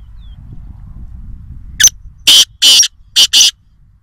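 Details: Black francolin, also called black partridge or kala teeter, recorded at Nawabshah: five loud, harsh, rasping high notes, a short one, two longer bursts, a brief pause, then two quick notes, over quiet low rumble.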